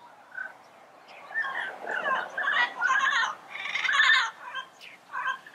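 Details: Yellow-headed parrots in natural surroundings giving a run of varied harsh squawks, croaks and nasal notes that swell and fade over several seconds.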